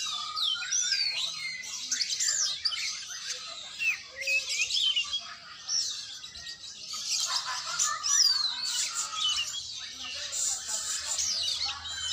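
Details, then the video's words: Oriental magpie-robin in training, singing long, varied sequences of high sweeping whistles, twitters and short trills in repeated bursts separated by brief lulls, over a quiet low background rumble. "latihan burung kacer"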